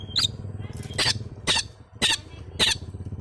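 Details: Young long-tailed shrike learning its sounds: harsh, scratchy bursts with short thin squeaky tones, repeated about every half second.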